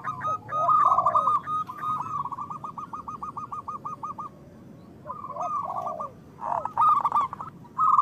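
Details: Local zebra doves singing, a lure to get doves calling fast: a long even run of rapid rolling coo notes, a pause, then louder stuttering phrases with lower overlapping coos from other birds.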